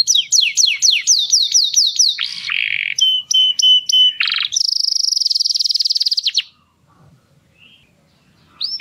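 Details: Canary singing to stimulate females for breeding: a run of quick falling sweeps, a buzzy lower phrase, short paired notes, and a rapid high trill, then near silence ending in one rising note.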